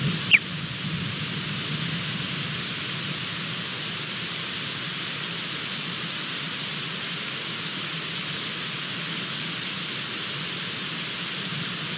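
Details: Steady broadband hiss fills the recording, with one brief click near the start and no clear animal voice.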